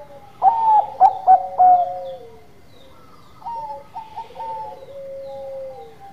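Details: Local zebra dove of the Bangkok type, singing in a lively manner: several loud staccato coo notes followed by long rolling, purring coos, with a softer answering cooing in the background.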